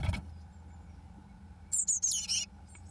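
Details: Eurasian blue tit chicks, day 21, fledging on 1 June 2012: after a thump and a quiet pause, a brief cluster of four shrill, high-pitched chittering calls.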